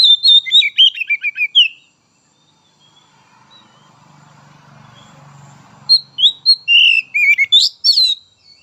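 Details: Oriental magpie-robin (kacer), untrained and spotted juvenile 'trotol' birds, sung to stimulate others. Fast bursts of sharp whistled and chattering notes, about four per second, open and close the recording. A quiet low hum fills the pause between them.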